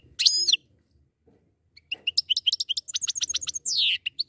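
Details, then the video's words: A pair of goldfinches: a buzzy opening note, then fast high staccato twittering and a long descending nasal buzz near the end. "زوجان من طائر الحسون"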